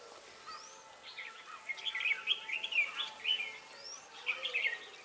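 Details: Singing red-whiskered bulbul, a lure bird set to catch wild birds at Ba Thá on 18 December 2016: rippling, bubbly chirps strung into fast phrases, plus a few thin rising whistles.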